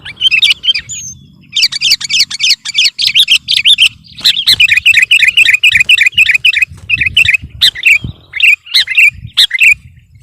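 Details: Sooty-headed bulbul singing hard to pressure rivals: dense runs of rapid chattering, wavering whistles that flow into long bubbly strings, then broken single notes toward the end.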